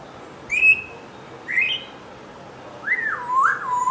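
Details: Pet African grey parrot, seven months old, in its first attempts at speaking: three clear whistled notes, two short and rising, then a longer wavering whistle that dips and rises, over faint room hiss.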